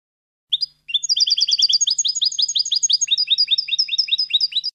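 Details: Tutor song of a European goldfinch, meant for young birds learning to sing: a brief opening note, then a fast, bright, sustained twitter of sharp repeated chirps and trills, tightly packed and high-pitched, with no other sounds.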